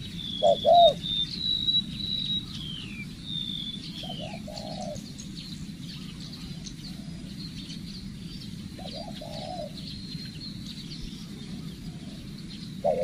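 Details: Spotted dove decoy bird in training, at its first stage of lessons: short low cooing phrases at the start, near four seconds and near nine seconds, over a steady rural hum, with thin high whistles and chirps from other birds throughout.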